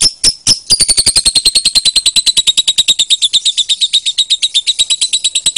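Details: Lovebird singing for contest training: a long, rapid chattering string of piercing high chips, growing steadier and slightly lower after the opening notes.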